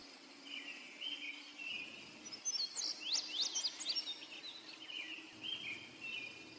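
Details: Song of an indigo bunting, a rapid string of sharp, high slurred notes rising and falling, louder in the middle, with insects droning steadily underneath.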